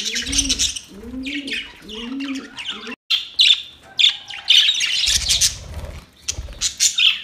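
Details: Several drawn-out, mellow coos from another bird open the sequence, then budgerigars take over with loud, choppy bursts of scratchy, chattering chirps.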